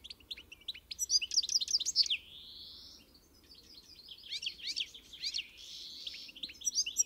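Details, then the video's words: European goldfinch song: rapid tinkling twitters and quick chirps between 2 and 8k, broken by a buzzy drawn-out rising note, then more jumbled twittering phrases later. "O canto do Pintassilgo (Carduelis carduelis)"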